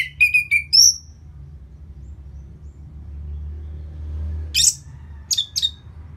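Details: Orange-headed thrush after moulting, played to make the bird more spirited and aggressive: a quick series of high chirped and whistled notes, a long quiet gap, then sharp, very high buzzy bursts, with low hum throughout.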